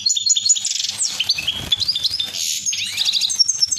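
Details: European goldfinches mating inside a cage, giving a fast, unbroken run of high, liquid twitters mixed with buzzy trills and tinkling notes, with a faint low hum behind.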